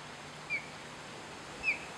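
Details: An osprey in Florida gives two short, thin whistled notes about a second apart, high and slightly sliding, over a steady soft hiss.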